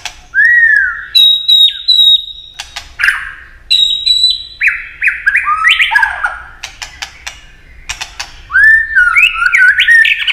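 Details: A White-rumped Shama delivers rich, varied whistled phrases in long strings, some sliding and some harsh and scratchy, in quick succession with brief pauses, while flicking its tail.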